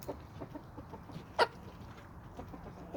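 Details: On a small suburban homestead in Toxandria with sandy soils, a flock of chickens and roosters is heard. One sharp, loud cluck stands out midway, with fainter clucking and low hum in the background.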